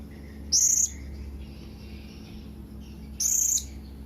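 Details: Blue-crowned hanging parrot calling to its companions with two piercing high whistles, nearly three seconds apart, each short and flat in pitch, against a soft steady hum.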